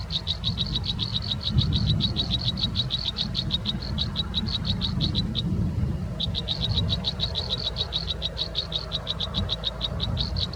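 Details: Young American robins calling from the nest as an adult brings food and removes fecal sacs: long, even series of high, piercing peeps, roughly three per second, with one brief gap, over low rumbling noise.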